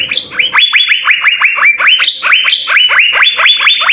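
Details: Vigorous 'gacor full isian' song of the Asian fairy-bluebird (cucak biru), meant as a tutor recording: continuous loud upswept whistles in quick succession, alternating between lower and higher notes.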